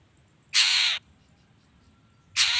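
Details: Long-tailed shrike in full voice, meant to make other shrikes respond; one loud grating rasp lasting about half a second, then silence before a second rasp begins.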